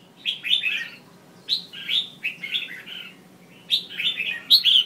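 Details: Calling female red-whiskered bulbul, whose voice is used to provoke males into song; short bursts of slurred, bubbling notes separated by pauses of about a second, ending with brighter, higher squeaky notes.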